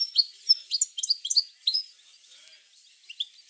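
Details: European goldfinch song, used to stimulate singing in goldfinches: a quick series of bright, liquid chirps and trills over under two seconds, then fading to a couple of soft notes.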